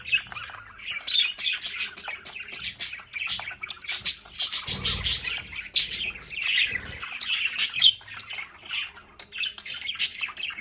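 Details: Home budgerigars in a play area keep up dense, continuous twittering and buzzy warbling with scattered sharp chirps, briefly joined by a low rumble of movement near the middle.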